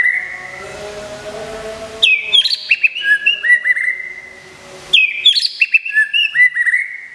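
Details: Moulting white-rumped shama, a prize-winning caged songbird from Indonesia: after a soft sustained whistle, two energetic bursts of varied, rapid whistled notes follow, each lasting about two seconds with a short lull between.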